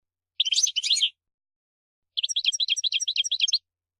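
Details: European goldfinch, the maqnin, in an energetic bout of singing: two dense bursts of high twittering notes, a pause, then a fast run of evenly repeated sharp chirps, all bright and high-pitched with no other sounds.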